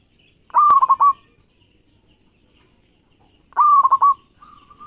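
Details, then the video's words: Zebra dove of a local strain in full song, recorded to stimulate other doves: two rolling coo phrases about three seconds apart, a tone chopped into fast beats, followed at the end by a soft drawn-out coo. "Suara Perkutut Lokal Gacor Pas Buat Pancingan"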